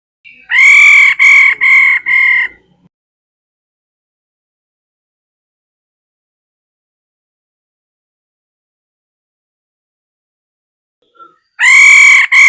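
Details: Female laughingthrush calling: four loud, harsh, harmonic-rich notes in quick succession, followed by a long silence and then another burst of the same notes.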